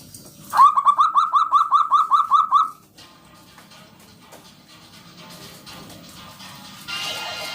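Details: Zebra dove, local and in full song, delivers a rapid series of about a dozen bright, clipped notes over two seconds, then falls silent to a quiet background hiss.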